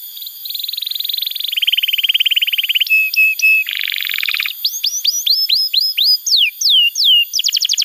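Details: Canary song for training young canaries and coaxing silent birds to sing: even rolled trills, sharp chips, buzzy chatter, then repeated rising and falling whistled notes.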